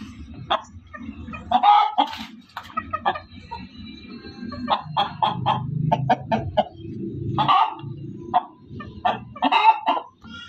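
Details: Loud female chicken giving scattered sharp clucks and squawks in irregular bursts, separated by short pauses, with a low murmur underneath.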